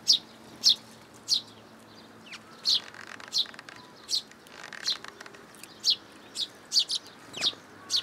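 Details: Juvenile sparrow coming to be fed in a plum tree at a Tenmangu shrine, June 2022: crisp high chirps about fourteen times over eight seconds, with a brief lull and faint softer twitters in between.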